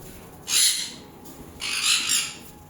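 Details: Pet sun conure perched and eating from a hand gives two loud, harsh, scratchy screeches about a second apart, each rasping and broadband, with a woman's Bengali comments before and after.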